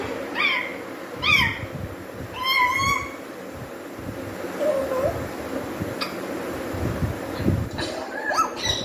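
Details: Pet parrot learning to whistle and pick up words: short rising and falling whistled notes, a few clustered squeaky calls, then quieter chirps, indoors with faint background noise.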